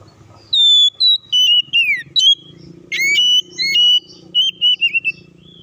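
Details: Oriental magpie-robin in song, played to incite rival birds to sing and fight; rapid whistled phrases with downward slurs, sharp rising notes and a wavering trill, low hum beneath.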